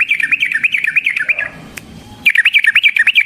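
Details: Yellow-vented bulbul in energetic fighting-style song used as a lure for other bulbuls: a fast, bubbly string of warbled notes repeated rapidly, a brief quieter break with faint background murmur, then the chattering phrase resumes just as quickly.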